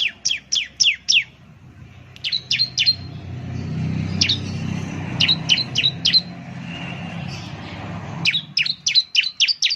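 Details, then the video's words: Bar-winged prinia (ciblek) lure call to draw birds in: quick bursts of four to six sharp, high, downslurred chirps with brief pauses between, over a low rumble of traffic. "Ciblek bird lures, the sound of the gacor immediately picks up"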